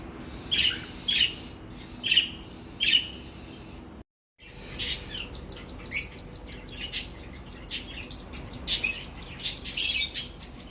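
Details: Cockatiel chicks being mouth-fed by their parents: a few clear chirps repeated about every second, then after a short silence a dense run of harsh, raspy, buzzy bursts, high-pitched and rapidly repeated, with a steady faint background hum.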